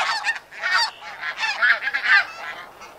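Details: Close flight calls of Snow Geese, a loud chorus of barking, nasal honks that swell and fade in bursts, with several birds calling at once and brief lulls between surges.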